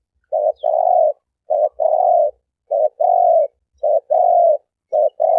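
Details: Turtle dove cooing clearly in a lure recording: a short low coo quickly followed by a longer hoarse coo, the pair repeated about once a second with short gaps, with no other sounds.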